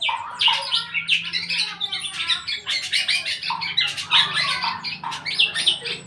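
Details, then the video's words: Eight-month-old black-naped oriole beginning to sing in full voice: a busy, unbroken stream of harsh chattering and squawky notes mixed with short whistled phrases, loud and tightly packed across the whole six seconds. "burung kepodang usia delapan bulan udah mulai gacor"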